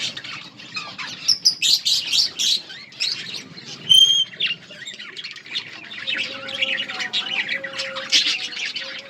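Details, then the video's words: Many budgerigars chattering while they feed in a colony, busy high twittering with loud squawk peaks and a clear whistled note around four seconds, a low steady tone later. "Budgies birds eating and enjoying in budgies colony budgies parrot chirping sounds"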